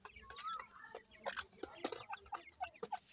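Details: Grey francolin chicks, set against another type of partridge chicks, playing and fighting: thin whistled peeps and short soft clucking notes, one longer rising whistle near the start, over scattered clicks and rustling.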